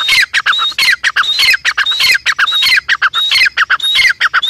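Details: Grey francolin (teetar) calling continuously: loud, shrill, grating notes run together in fast repeated phrases, each with a thin whistled ring on top, without pause throughout.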